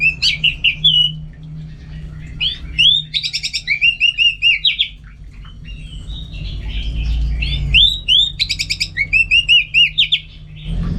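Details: Caged orange-headed thrush (anis merah) from North Bali, Singaraja, kept for song training: bright whistled phrases with rapid buzzy trills and repeated slurred notes between 2 and 8k, in bursts with short pauses, low hum underneath.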